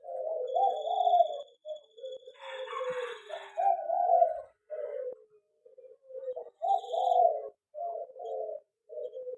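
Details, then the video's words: Zebra dove kept in an aviary singing clear, low, staccato coo phrases spaced by short silences, with a brief burst of rustling noise early on. "perkutut di aviary lebih cepat gacor dan bunyi"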